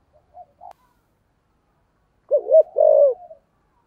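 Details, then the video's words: Spotted dove used as a decoy, singing the thổ voice style meant to lure wild birds: a few faint soft notes, then after a pause one loud phrase of two quick coos and a drawn-out falling coo. "cu gáy giọng thổ kích bổi rất hiệu quả"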